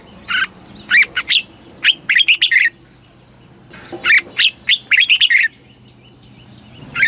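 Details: Caged Red-whiskered bulbul, Thailand, singing southern master phrases used to teach chicks and rouse other birds: two long phrases of rapid clear whistled notes, rising and falling, then a single note at the end.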